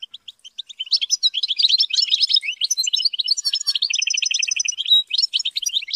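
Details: European goldfinch kept for song training delivers an unbroken rapid twitter of tinkling notes. The song includes a steady rattling trill and bright slurred whistles, with soft chirps at the start.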